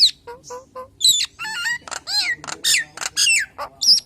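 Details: Nias hill myna song used as a lure for other hill mynas: short whistles, rising and falling warbled notes, harsh rasping bursts and loud piercing whistles in an irregular, varied sequence.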